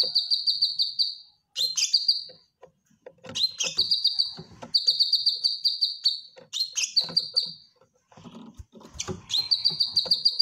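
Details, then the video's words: Cucak kinoy bulbul in a cage pouring out a training song. Short, rapid, high trilled phrases each open with a rough burr, repeating almost continuously with only brief gaps. Faint low rustling is audible underneath. "Cucak Kinoy Gacor Masteran"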